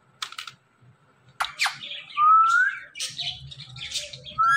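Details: Indian ringneck parrot mixing sharp squawky chips with a smooth upward-slurred whistle, then more scratchy chatter and another rising whistle at the close; a low hum runs in the background.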